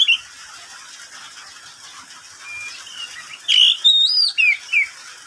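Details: Pet oriental magpie-robin singing in the middle of the day: after three quiet seconds with faint distant notes, a short burst of loud whistled, slurred phrases that rise and fall, ending in a few clipped notes.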